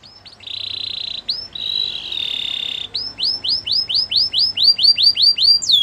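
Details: Training song of a canary: a buzzy trill and a long flat whistled tone, then a quick string of about fourteen down-slurred notes, faint low hum and hiss in the background.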